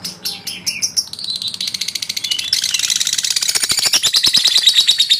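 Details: Male lovebird calling to stir up rivals. A few separate high chirps open, then build into a dense, fast, buzzy chatter of shrill pulses that grows louder and quicker toward the end.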